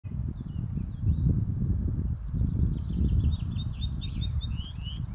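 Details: Near Ulva Kvarn north of Uppsala, Sweden, on 7 June 2021, an ortolan bunting sings a short phrase of about six ringing repeated notes that drop to lower, drawn-out notes, almost covered by heavy, low wind rumble.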